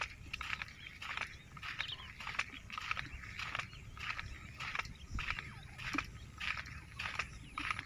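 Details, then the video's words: Bush quail calls played as a hunting lure in jungle: short, harsh, chattering bursts repeated roughly once a second, with low rumbling background noise throughout. "bush quail amazing shikar awaaz"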